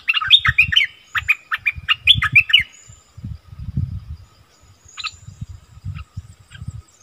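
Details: Wild striated bulbuls in a heated quarrel: about two and a half seconds of rapid chattering, whistled phrases, then a few isolated notes over persistent low rustling and thumping sounds.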